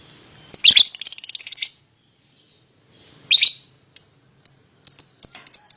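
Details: Pied lovebird pair used to coax a rival to sing: a harsh, buzzy chattering burst, a pause, another rasping burst, then a quick string of clipped high chirps.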